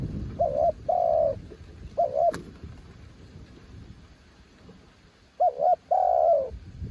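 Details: Spotted dove described as a mountain bird: a double coo and a long coo, a lone short coo, then after a pause another double coo leading into a drawn-out falling note. A sharp click near the middle.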